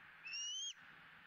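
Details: One drawn-out, slightly rising whistled squeal lasting about half a second from a bald eagle eaglet being fed its second fish of the day, Southwest Florida nest camera, 20 April 2017.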